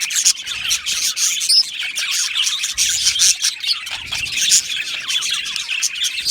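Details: Budgerigars in an aviary colony give loud, continuous overlapping chirps and warbled twitters, with a clear high squeak near the middle.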